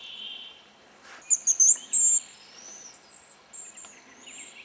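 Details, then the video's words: Hazel grouse on a spring lek in the Yenisei Ridge, Russia, giving very high, thin whistles: two drawn-out notes, then a fading string of shorter whistles, after a steady insect-like hiss. "Рябчик на току"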